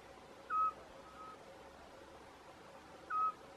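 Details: Eurasian scops owl calling at Arneiro, Nisa, Portalegre: two short, clear, flat whistled notes about two and a half seconds apart, over a quiet rural background.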